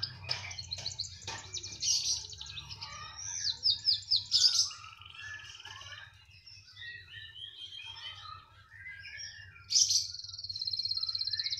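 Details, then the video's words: Canary singing persistently regardless of placement, with bright high trills, fast chattering runs and a loud rattling trill at the end, over a steady low hum. "Kenari *SPECIAL*,, mau di taruh di mana saja tetap gacor"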